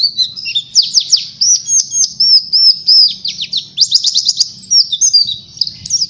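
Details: Oriental white-eye singing to draw other birds into song: high, rapid chirps and downward flicks in quick bursts mixed with smoother whistled slurs, with a low hum faintly in the background.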